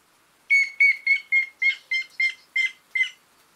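Grey-headed woodpecker giving nine harsh, nasal notes at a steady mid-high pitch, about three per second, with no other sounds.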